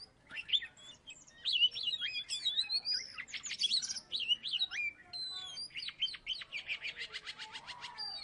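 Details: Former third-place contest Oriental magpie-robin from Salatiga singing continuously: rich mix of sweet rising and falling whistles, harsh chips and buzzy notes, ending in a fast run of repeated clicking notes near the close.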